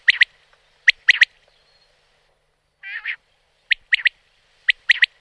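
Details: Common quail (Coturnix coturnix) in the wild repeats its liquid three-note 'whit, whit-whit' song roughly every second, with one short, nasal, buzzy note between phrases.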